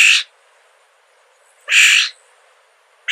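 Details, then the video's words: A Florida scrub jay gives harsh, raspy screeches, each about a third of a second long, repeated roughly every one and a half seconds against a quiet background. "Florida scrub jay"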